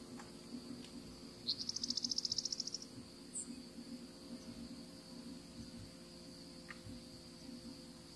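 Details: A Savannah sparrow, a winter visitor in Florida, gives one high, buzzy trill of about a second and a half, then a thin short note, over a steady insect drone and low hum.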